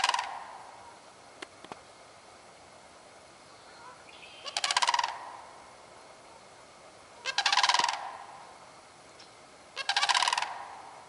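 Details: Three loud, rolling, rattling bugles from a sandhill crane, recorded 30 March 2015, each about a second long and spaced roughly every three seconds, with quiet air between them.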